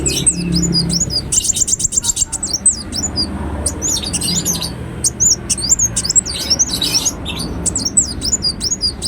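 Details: Ruby-cheeked sunbird singing actively, a lure recording for prompting other birds to sing: rapid, very high thin twitters and slurred sweeping notes, with a dense buzzy burst early on and quick chirp runs throughout, plus faint low background rumble.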